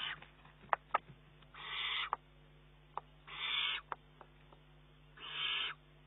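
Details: Young Eurasian eagle-owl begging from its mother for more prey, 19 June 2011. Three rasping, hissing calls about one and a half seconds apart, interspersed with scattered sharp clicks.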